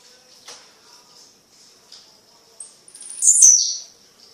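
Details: Tiziu (blue-black grassquit) singing at night in Fragoso, Magé, Rio de Janeiro: after faint ticks, a loud, buzzy, high burst rises and falls near the end, over a steady high-pitched whine in the background.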